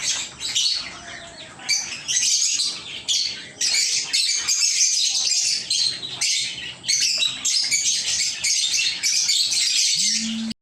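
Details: Kept lovebirds chirping: dense, harsh, high-pitched chatter in rapid overlapping bursts, nearly continuous with brief pauses, several birds calling at once, ending in a short low hum.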